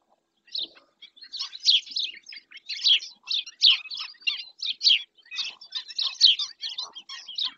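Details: Webcam sound from Doñana National Park, Spain: a black-winged stilt starts after half a second of quiet, then calls steadily with sharp, high yelps about every half second until the end.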